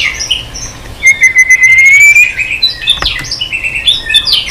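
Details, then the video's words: White-rumped shama in continuous, long-lasting many-voiced song with tail flicking on the perch. A clear whistle rises slowly, followed by quick, varied high phrases. "chòe lửa hót nhiều giọng lạ"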